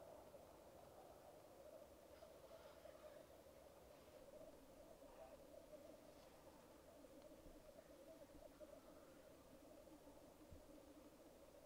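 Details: Black grouse lek recorded on a Rode Videomic Go: an unbroken dove-like bubbling drone from several birds, overlaid now and then by faint higher sneezing hisses.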